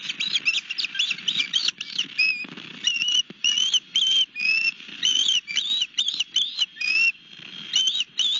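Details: Osprey at its nest with a fish at Barnegat Light, Long Beach Island, New Jersey, on 31 March 2021 around 18:53. Sharp whistled chirps, some rising and others falling, repeat in quick bursts about every half second. A soft low rumble runs underneath.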